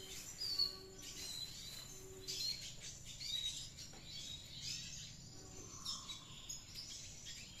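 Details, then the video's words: Red siskin in active ngriwik chatter: short, sharp high chirps and thin whistles in uneven bursts about every second, with a faint lower note near six seconds and quiet hum underneath. "Redsiskin Gundul Clasic aktive ngriwik"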